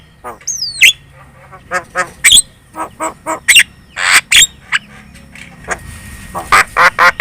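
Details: Javan myna lure song, vocal and chattering, to make other birds answer: a falling whistle, then irregular harsh squawks and rasping notes over a low background hum.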